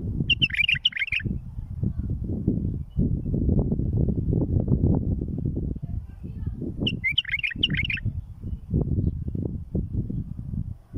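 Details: A bulbul sings for tutoring and fledging chicks: two quick chattering warbled phrases about six seconds apart, each roughly a second long, under a heavy, steady low rumble.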